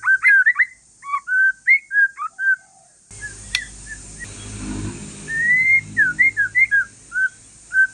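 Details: White-rumped shama of Aceh forest stock giving a calm song meant to draw other shamas into singing: short whistled phrases around the midrange, a pause with low rumbling noise, then rising clear whistles and quick slurred notes.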